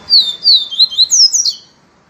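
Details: Yellow-bellied seedeater (papacapim peito amarelo) singing in the viviti style: a quick phrase of clear, sweeping whistled notes, some falling and some rising, ending in a higher slurred flourish, with little background noise.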